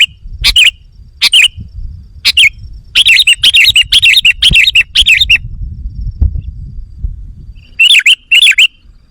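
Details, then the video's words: Sooty-headed bulbul lure call for enticing wild birds: a lively string of loud, bubbly, warbling chirps packed closely together, a pause, then two more bursts, with low background rumble. "Suara Burung Kutilang Pikat GACOR Sekali Putaran Kutilang Liar Auto Emosi!"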